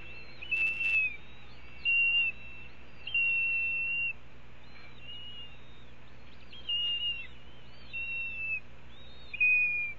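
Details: Red-tailed hawk at a Cornell nest on a June morning, 9:25 am, as a pigeon is brought to a young hawk. Thin, piercing whistled calls come in bursts every one to two seconds, some slurring upward, with a brief clatter near the start.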